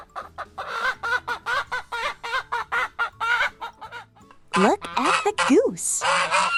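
Chicken clucking in quick, short, nasal notes, about two a second, over soft background music, ending with louder squawks and a child-directed voice.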